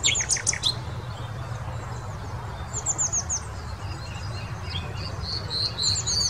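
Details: Common nightingale singing. High, thin whistled and chirped phrases come in short bursts, opening with a fast run of notes, then quieter scattered high sweeps and flicks over a steady low background hum.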